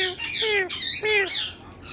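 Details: Talking pet parrot producing harsh squawks mixed with voice-like mimicked syllables, two downward-slurred tonal notes among noisy, raspy bursts, indoors.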